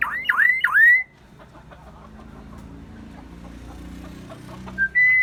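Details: Myna giving a quick series of three dipping, swooping whistles, then a gap with low background murmur, and finally a short note followed by a steady held whistle.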